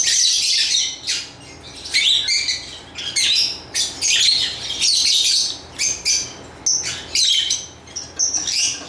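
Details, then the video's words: Lovebirds give piercing, high chirps and raspy twitters in quick clusters, with short silent gaps growing more frequent toward the end. "Lovebird Chirping Sounds"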